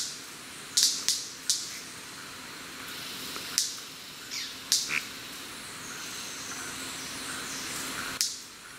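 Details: White-bearded manakins displaying at their lek beside a forest trail at ASA Wright, Trinidad: sharp, loud snaps and cracks in an irregular series, about six over nine seconds, some paired closely, with faint high chirps between.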